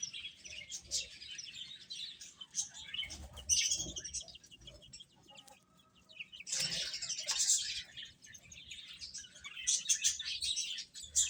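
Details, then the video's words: Baby chickens eating, their high peeping coming in bursts separated by quieter stretches, with soft background rustling between the louder chirp clusters. "Beautiful Chicks Chirping Sounds | Baby Hen Eating"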